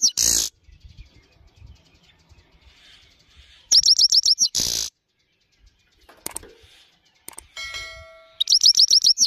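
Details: Himalayan goldfinch song: bursts of quick, high, tinkling twitters, about a second each, broken by loud rustling noise and a brief whistled tone.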